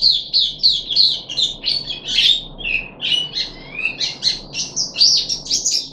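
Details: Puff-backed bulbul (Brachypodius eutilotus), a kept songbird, chatters steadily in high, bright notes, mixing quick chirps with short rising and falling whistles in a varied run with no real pause.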